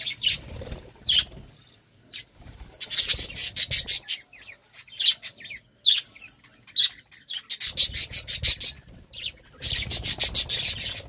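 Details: Budgerigars in a courtship moment: short bright chirps and rapid ticking, rasping trills in separate bursts, broken by brief quiet gaps and light low knocks.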